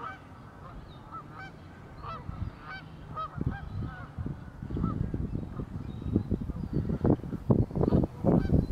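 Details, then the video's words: Several geese call at Warner Park Lagoon in Madison, Wisconsin, USA, giving a quick run of nasal honks in the first half, then loud low thumping and rumbling noise takes over while the honks fade. "Geese in the Warner Park Lagoon"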